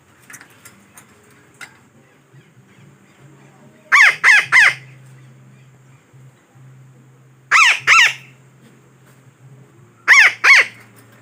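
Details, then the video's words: Parakeet (betet) lure call used for trapping birds: three bursts of two to three harsh, grating squawks, separated by several seconds of quiet with a faint low hum and soft background noise. "Suara Pemikat Burung Betet yang Sangat Ampuh"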